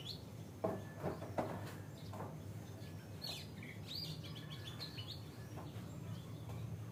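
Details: Morning wake-up song of an Oriental Magpie-Robin (Copsychus saularis): scattered, fairly high whistled notes and short chirps, irregular and soft, over a steady low background rumble with a few clicks.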